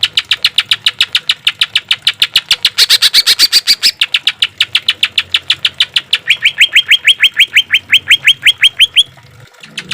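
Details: Green leafbird giving rough 'tembakan' rapid-fire song, recorded for training caged birds: nearly ten seconds of unbroken staccato chips that shift to a lower run of rising notes before stopping abruptly.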